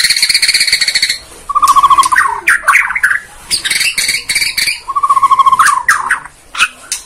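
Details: Murai Borneo (white-rumped shama) lure song: a rapid buzzy rattle, a fluttering trill sliding upward into quick whistles, a repeat of the trill and whistles, then harsh chattering.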